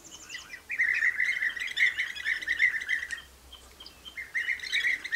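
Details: Common nightingale song recorded near bird-watching hides: fast chattering trills and rich warbling phrases, broken by a brief pause before a new phrase, over a soft low background hum.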